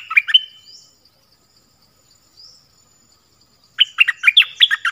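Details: Dok taeng bird singing in its original voice with many song phrases: a bright phrase of chirped notes, a long silence, then a fast jumble of sharp, warbled notes.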